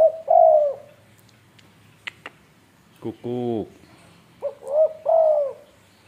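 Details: Tame spotted dove from Indonesia cooing with mellow, downward-sliding notes at the start and end, broken by clicks and a deep buzzing, voice-like sound in the middle.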